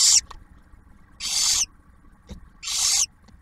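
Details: At a barn owl nest by Oak Harbor, Ohio, Ottawa National Wildlife Refuge, in 2023, the male delivers food while the female feeds the first owlet. Three airy, high-pitched hissing screeches, about half a second each, with faint clicks between.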